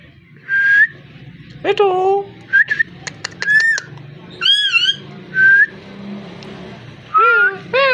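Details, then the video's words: A talking parrot alternates short, clear whistled notes with harsher harmonic calls, clicks and wavering buzzy sweeps, calling about every second or two at uneven spacing over low background hum. "Amazing parrot so cute talking and voice"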